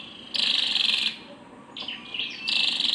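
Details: Female scarlet-backed flowerpecker: two loud, harsh, high-pitched buzzy bursts with a few soft chipping notes in the gap between them.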